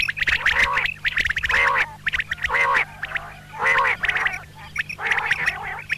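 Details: Female common quail giving double calls, locally called batair ki awaz: rough, nasal bursts repeated about once per second with short pauses between, sharp ticking notes, and a steady low hum underneath.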